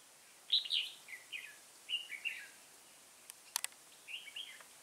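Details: Red-whiskered bulbul trapped with a decoy on 3 October 2018, a first-brood bird with a dark bib: three or four loud chirpy slurred notes, then a pause with sharp clicking knocks, then softer warbled notes.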